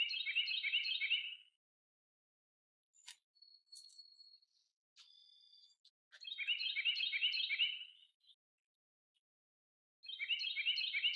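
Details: Common starling in May 2023 giving dense, harsh chattering bursts of about a second and a half, repeated every few seconds, with thin whistles and clicks between.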